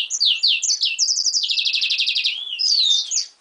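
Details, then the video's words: Yellow-rumped seedeater and canary hybrid (pintagol) coming out of molt, singing: high, fast warbling phrases of sweeping whistles and rapid buzzy trills, one long rattling trill, then a clear descending whistle and a final quick flourish. "pintagol-Yellow-rump x canary"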